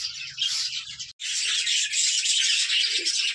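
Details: Female budgerigars, roughly 15 to 20 kept in one farm room, chattering in a loud unbroken wash of high chirps; a brief gap near the start, then the flock chorus resumes.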